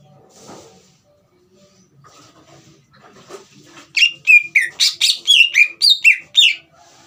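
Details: Green leafbird song played to excite a young bird into singing: faint rustles and soft noises at first, then a loud, fast series of ringing, downslurred whistles in the latter half.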